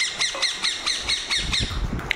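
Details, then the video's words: Pet ringneck parrot, around feeding and water time: a steady run of harsh, nasal squawks, about five per second, with low handling noise underneath. "Parrot talking everything | Ringneck Parrot Videos Compilation"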